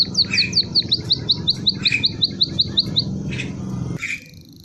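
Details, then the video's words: Canary song: a fast, even trill of bright, piercing high notes repeated almost three times a second, then a short pause and two lower, buzzier notes, over a faint low hum. "Empri kaji rasa kenari suara syahdu"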